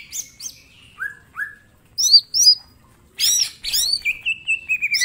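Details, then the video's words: Mini green leafbird in full song with sharp shot-like notes, a master song for training: falling whistles, paired looping chirps, then a dense scratchy burst ending in a descending trill of quick notes. "Cucak ijo mini gacor full tembakan bongkar materi"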